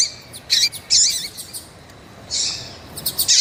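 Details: A female Double-collared seedeater calls to stimulate males with loud, high chirps, a longer hissing note after a pause, and a closing pair of sharp notes.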